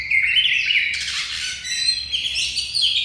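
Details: Kacer (Oriental magpie-robin), prize-winning poci bird in ngobra style, its song used as a contest master: rich overlapping whistled and buzzy phrases without pause, with a burst of harsh, broadband chatter midway.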